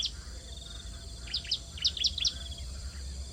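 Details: Nestling bar-winged prinias begging at the nest while being fed. A short, quieter flurry of high, clipped chirps, each sliding downward, comes midway over faint background hiss.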